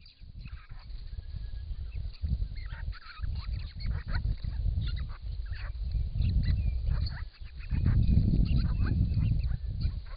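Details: Grey-crowned Babblers, six wild birds visiting a pond in regional Victoria, Australia, during hot summer weather, call to one another as they bathe, caught on camera trap; bursts of sharp, squeaky chatter repeat among loud splashing and low rumble.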